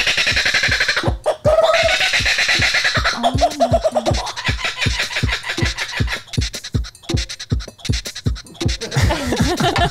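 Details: Electronic music with a steady thumping beat, record-scratch effects and bits of voice, with no animal sound.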